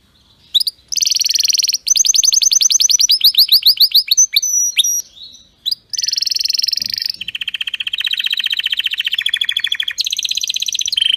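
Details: Canary delivering a strong, flawless song for tutoring other canaries: a varied sequence of very high buzzy trills, fast rolling note series and brief sweeps, changing pitch between sections, loud and continuous.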